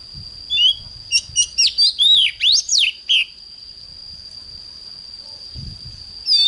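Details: Morning song of an oriental magpie-robin in the fiery 'căng lửa' style: a burst of about nine quick, clear whistles and slurred notes lasting under three seconds, then a pause with a steady high-pitched whine and faint low rumbles.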